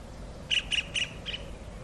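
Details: Kingfisher calling its mate: four harsh, squawking notes around the upper-middle pitch range, the first three evenly spaced about a fifth of a second apart, a fainter fourth after a short gap, over low background rumble.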